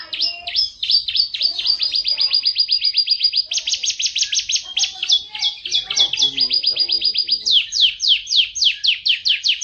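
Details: Master song of a loud yellow long-necked canary: a continuous chain of rapid rolling trills changing pace and pitch every second or two, closing with broad sweeping chirps, faint low sounds beneath.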